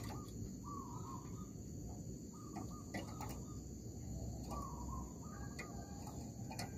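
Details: Zebra dove calling in an oil palm plantation while being lured for trapping; several mellow, slightly descending cooing phrases spaced a second or two apart, over constant insect drone and low background noise.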